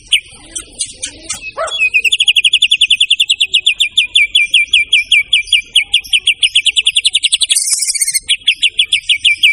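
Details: White-rumped shama (murai batu) singing vigorously for training kept songbirds: after a few scattered notes, a long rapid machine-gun series of uniform high clicks, about four per second, lasting most of the clip.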